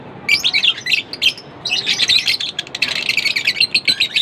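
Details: Lovebirds chirping: shrill chattering phrases, a short pause before two seconds, then a steady run of rapid, buzzy high chirps to the end.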